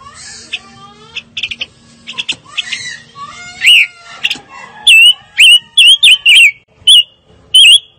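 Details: Fire-tailed myzornis song starting with jumbled buzzy chatter and scratchy notes, then building into a string of loud, bent whistled notes with a quick wobble, delivered roughly twice a second.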